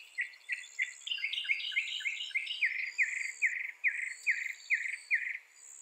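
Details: Northern mockingbird, reputed to imitate 200 sounds, repeating one clipped note about six times, then a descending chirped phrase, then a burry slurred note eight times in steady rhythm, with faint high twittering behind.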